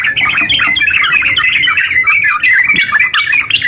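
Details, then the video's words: Brief burst of 'ngeropel' singing from a caged yellow-vented bulbul, the energetic continuous song used to prompt silent birds to sing; quick twittering notes tumble together, some clear whistled tones threaded through. "TERUCk gacor ropel panjang buat pancingan terucu biar bunyi"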